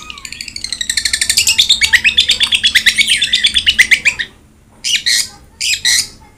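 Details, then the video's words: Long-tailed shrike (cendet) singing: a long run of fast, harsh, rasping notes repeated about twice a second that quickens and builds before a short pause, followed by three separate scratchy bursts. "BURUNG CENDET GACOR| Masteran Wajib Untuk Burung Cendet Malas bunyi"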